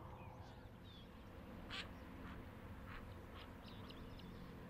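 White-cheeked pintail giving a few short, raspy quacks spaced about half a second apart, faint against a steady low rumble.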